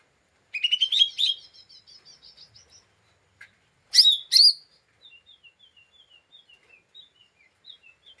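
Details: Lesser green leafbird, described as emotionally agitated and chattering 'ngeriwik' as a lure for other birds: two short bursts of harsh, rapid chips separated by silence, followed by a faint, thin, scattered twitter.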